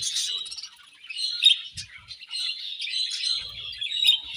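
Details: Budgerigars eating while keeping up an almost continuous warbling chirp chatter, a busy stream of trilled, scratchy notes, with a few soft low thumps from the birds or feeding.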